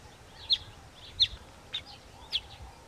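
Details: Southern masked weaver at its nest: four short, sharp, high chips spaced roughly every half second to second, each a quick downward flick, over a steady low hiss of background noise.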